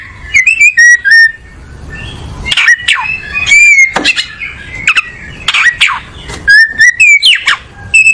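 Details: Oriental magpie-robin (kacer), a breeding bird, singing while settling into a comfortable perch: loud clear whistled phrases with sharp up- and down-slurred notes and short bright chips, delivered in bursts separated by brief pauses.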